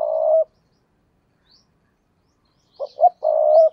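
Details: Spotted dove kept as a decoy bird to lure wild doves, giving a low cooing phrase: two short clipped notes followed by a long, steady, hollow coo, with a single long coo just before; otherwise quiet.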